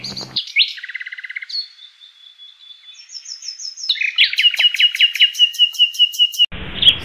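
A common nightingale sings a rich, varied phrase: a quick rattle, clear whistled notes, then a fast run of repeated sharp chirps, with a brief low thump at start and end.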